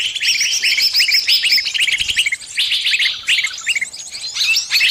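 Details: High, rapid chirping from a caught bird calling to its friends for help, quick repeated notes tumbling over one another in a dense, uneven chorus.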